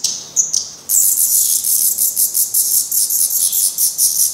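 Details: Black Redstart fledglings at the nest in Portugal, recently making first flights and still downy-headed, being fed by their parents; a dense, high, hissing chatter of rapid repeated calls starts abruptly after a brief pause and continues without break.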